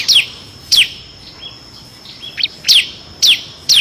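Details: Bar-winged prinia, its ngebren song carrying six variations for tutoring competition birds, gives spaced single high notes sweeping sharply downward, roughly every half second, over faint background hiss.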